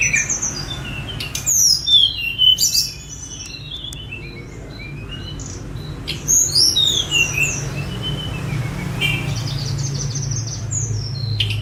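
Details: Sunda robin, called tledekan gunung, a spotted bird released to roam and phone-recorded for mastering; loud bursts of rapid high whistled notes swooping down and up in wavy runs, separated by quieter pauses.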